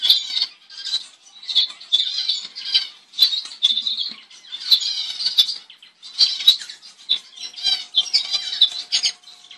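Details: Double-barred finch, also called owl finch, a species of eastern and northern Australia, giving short high nasal calls in quick irregular bursts, some notes with stacked harmonics, with light scratching and fluttering noises between them.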